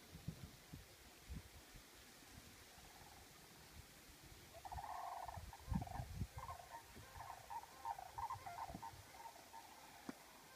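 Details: Sandhill cranes flying into a nature preserve during fall migration; a distant chorus of rolling, rattled trumpeting calls builds after a few seconds and continues in overlapping bursts, over low rumbling wind noise.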